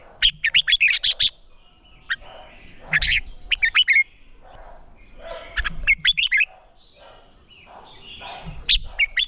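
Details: Red-whiskered bulbul in song training for singing competitions, urged to sing hard: bursts of rapid chirpy, warbling notes repeated roughly every three seconds, with quiet gaps between phrases.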